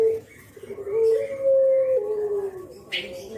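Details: Javan spotted dove nodding and calling in the 'kuk geruk' style, a lure for wild spotted doves: a brief low note, then a long smooth coo held steady and falling away at the end.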